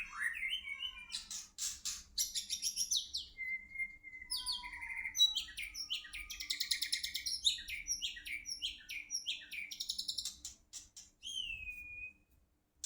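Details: White-rumped shama from Medan, Indonesia, delivers a varied, fast song of sliding whistles, rapid high trills and repeated chattering notes, with long clear whistled tones between bursts and a steady low hum beneath.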